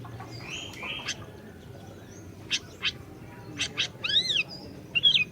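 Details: Singing orange-bellied leafbird, used as a lure to prompt a silent bird to sing: a few spaced, clipped high notes, then a cluster of arched, warbled whistles and a final bright twitter near the end.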